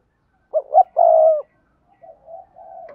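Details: Decoy spotted dove, Đồng Nai, Vietnam, cooing in double voice to draw in wild doves. One phrase has two short rising hoots followed by a long, smooth, falling coo. Softer, muffled coos trail after it.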